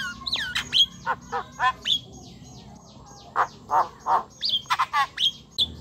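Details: Javan myna singing to provoke silent or young birds: hooked whistles and short grating squawks repeated in bursts, with a brief pause midway.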